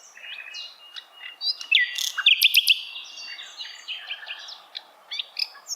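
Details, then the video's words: Sikatan londo, Asian brown flycatcher, singing a tutor-style song meant to be easy for songbirds to copy: high thin whistles, scratchy twitters and clipped rising notes in a busy, irregular flow. "Sikatan londo masteran yang mudah ditiru segala jenis burung kicauan"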